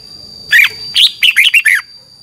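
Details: Red-whiskered bulbul from Thailand, kept as a cage bird, singing in the double-song style used to train birds to count phrases: one quick phrase of about six bright, warbled notes, swooping and falling, over steady faint high-pitched tones.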